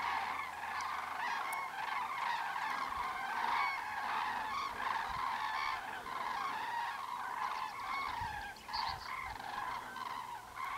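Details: Common cranes in a large calling group, a dense, continuous wall of loud trumpeting notes with rich harmonics, individual calls pulsing roughly every second and overlapping throughout.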